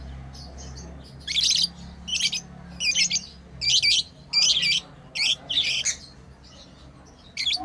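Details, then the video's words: Lovebirds kept as pets chirp while playing: harsh, buzzy high squeaks repeated about once every second in a steady run, with short quiet gaps between bursts. "Lovebirds playing & Chirping sounds"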